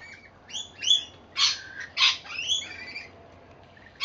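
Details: Feeding on seed put out on a verandah in Victoria, Australia, rainbow lorikeets give a rapid run of grating, screechy calls, several loud squawks in quick succession followed by quieter chatter.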